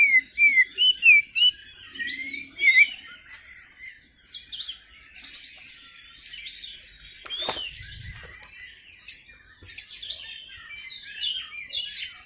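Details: Song of a white-rumped shama, a kacer kept as a contest bird, in Sundanese setting: clear looping whistles open the phrase, followed by a jumble of varied chirps, sharp notes and harsh scratchy bursts, with a brief low thump.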